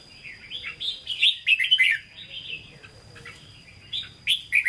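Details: Red-whiskered bulbul kept as a cage bird, singing in the Hue voice style (hót ché): a run of loud, clear, chirpy warbles in quick succession, then a pause and a fresh burst of sweet whistled notes.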